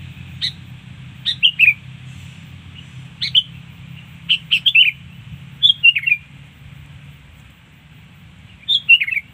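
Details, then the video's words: Sooty-headed bulbul song used to lure birds: short bright chirpy phrases of quick notes slurring downward, given in irregular bursts, over a steady low hum. "mikat burung kutilang"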